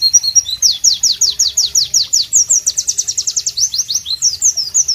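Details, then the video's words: Melodious, loud singing of a White-eye (Pleci) amid tropical ambience: brisk sequences of sharp, high descending chirps in quick even rhythm, speeding into a tight rattle-like series midway, then continuing in varied twitters. "Masteran Pleci Bird Sounds Loud, Sharp and Melodious"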